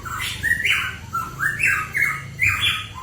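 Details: Hooded pitohui lure recording: a run of hoarse, buzzy, wavering notes rising and falling in short phrases roughly once a second, over a noisy background with low rumbling hum.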